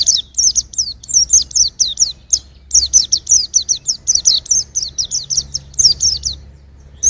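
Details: Continuous high-pitched white-eye song used to train songbirds, a long run of quick sweeping chirps falling in pitch, delivered without break for about seven seconds.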